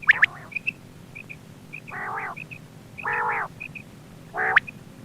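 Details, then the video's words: Quail lure sound for hunting: three drawn-out harsh buzzy rasps, each about half a second, separated by soft high double pips and a few sharp clicks. "Quail bird sound for hunting | Btair voice"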